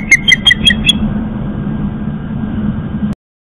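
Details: Young osprey, recently fledged and returned to its nest on Long Island, New York, gives five quick, sharp whistled chirps in a row, then falls silent while a low road-traffic hum continues.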